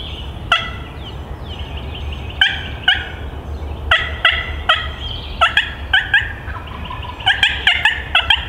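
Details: Wild male turkey approaching in response to a hunter's calls, gobbling all the way in: loud, sharp harmonic bursts repeated at irregular intervals, tightening into rapid clusters toward the end, over a low rumbling background.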